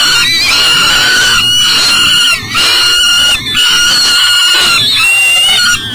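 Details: A peregrine falcon unable to enter its nest box with breakfast, Elk River, Minnesota, July 2012, 7am. A loud, steady series of harmonic wails about a second each, with slight pitch bends and brief pauses between them.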